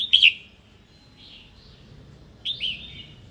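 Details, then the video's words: Female red-whiskered bulbul calling to provoke a wild-caught male to sing and fight: a loud, sharp, bright chirped call at the start, a softer warbled phrase near the middle, and another strong chirp near the end. "Chào mào hót tiếng mái kích bổi"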